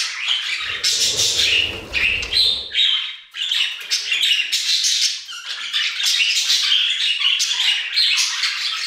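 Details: In the aviary, many budgies chatter and warble in rapid scratchy notes and high squeaks, while a low rumbling noise runs beneath during the first three seconds.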